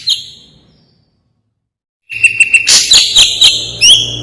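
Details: Ashy drongo song, described as very sharp, clear and lively: after about two seconds of silence, a dense burst of loud, high, ringing notes with a steady whistled tone and sharp downslurred strokes.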